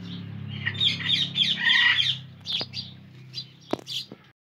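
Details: Indian ringneck parakeet squawking in a grating run for about two seconds, then a few scattered short chirps and clicks.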